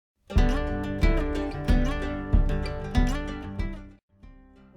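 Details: Plucked acoustic guitar music with strong rhythmic strums about every second and no animal sound.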